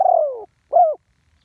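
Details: Spotted dove, live one-kuk call for ground decoy use: the tail of a long burry coo sinking in pitch, a short pause, then a single arched closing hoot, no other sound.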